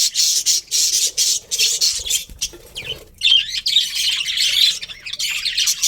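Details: ['Colourful budgies in a colony chatter in loud, dense high chirps, dip briefly quieter midway, then resume busy overlapping calls.']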